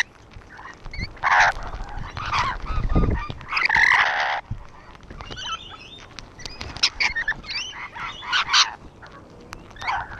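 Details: Several rainbow lorikeets perched on a wall give harsh, grating screeches and bursts of raspy chatter, the loudest near the start and again around four seconds, with low thumping noise underneath.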